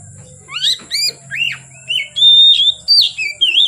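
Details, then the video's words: Kacer, the oriental magpie-robin, singing into the evening: upward-sweeping whistles, then a long pure held note and a string of looping, warbled phrases, with a constant faint hum behind. "Kacer Gacor Sore Sampai Gelap Malam tetap Bunyi Gacor"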